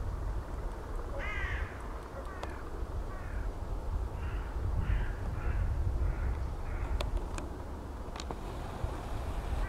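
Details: Eurasian bittern in Zuid-Holland, Netherlands, recorded 29 December 2010, gives harsh, hoarse crow-like barks, a short burst and then a loose series of four or five, over a steady low rumble of wind.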